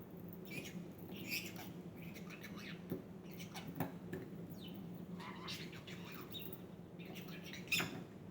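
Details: A male pet budgerigar playing with his favourite toy chatters in quick, scratchy bursts of squeaks and warbles, mimicking Russian speech.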